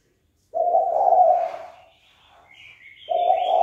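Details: Spotted dove cooing to goad an opponent into a fight. A long, deep, throaty coo fades out, then a second coo begins after a pause. Thin high whistles of another bird sound in the gap.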